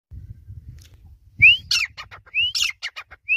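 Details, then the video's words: Grey francolin (teetar) calling: two loud phrases, each a sharp rising whistle followed by a quick series of harsh clipped notes, with another rising whistle starting at the end; faint low rumbling at the start. "Teetar ki awaz Grey Francolin Sound Teetar voice"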